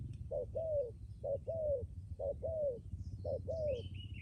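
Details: Spotted dove kept as a decoy bird, cooing in steady two-part phrases, a clipped first note then a drawn-out descending coo, four phrases in quick succession, faint high twittering of other birds behind.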